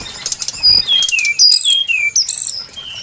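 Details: Brown-chested jungle flycatcher lure song: pure, sweet whistles gliding downward, three or four notes per phrase, with a faint trill on the highest notes.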